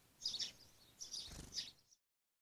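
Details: Blue tit giving three short bursts of high, thin, tinny call notes, each a brief cluster, with a soft low thump under the second burst.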